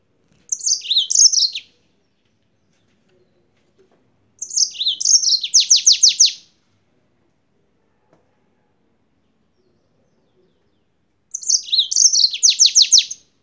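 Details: Three song phrases, roughly every four seconds, from a yellow-fronted canary from Spain: jumbled high twitters followed by a rhythmic run of rapid downslurred notes.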